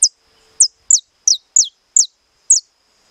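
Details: Saffron finch kept in captivity singing estalado song: seven clear, sharp, high whistles, each falling steeply, spaced about half a second apart, with a faint steady hum beneath.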